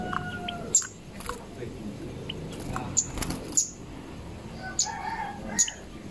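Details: Zitting cisticola singing: sharp, very high ticking notes at uneven intervals, about five in six seconds, with other bird chirps and low background rumble.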